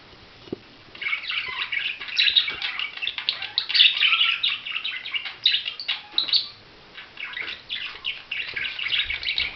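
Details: Budgerigar warbling almost nonstop: dense, scratchy chatter of rapid chirps and squeaks that rise and fall, with one brief pause.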